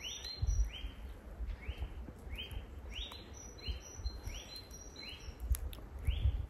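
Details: A Eurasian nuthatch (Sitta europaea) calls on a winter's day in chateau grounds: a steady series of about ten short, rising whistled notes, roughly one or two each second, over a low rumble of wind.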